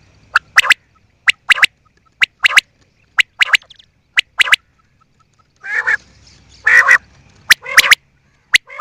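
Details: Quail giving sharp, clicking calls in quick pairs and triplets, repeated roughly once a second, then several louder harsh, rasping bursts with a few more clicks near the end.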